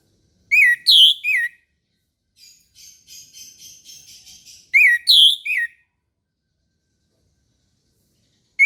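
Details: Orange-headed thrush in morning song, used to prompt lazy caged birds: two loud three-note whistled phrases about four seconds apart, separated by a soft run of quick buzzy chattering notes.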